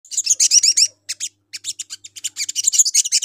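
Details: Sogon lure call meant to draw other sogon birds into responding: rapid high chirps and buzzy trilled notes in dense bursts, a brief pause, then further quick chirping phrases.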